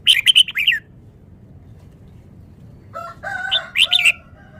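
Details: Rapid song of a caged Vietnamese red-whiskered bulbul: a quick run of bright chirpy notes, a pause, then a lower harmonic drawn phrase capped by sharp bright notes, with faint low background noise.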